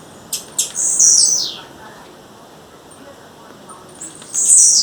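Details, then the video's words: Wild female blue-black grassquit: two sharp high ticks lead into a loud buzzy note that sweeps downward, then a quiet pause before another strong, very high buzzy call at the end. "Tiziu fêmea, fêmea de tiziu chamando na natureza"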